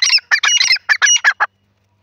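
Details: Jungle grey francolin uttering a burst of harsh, nasal, clipped notes in quick succession, ending abruptly after about a second and a half, followed by silence.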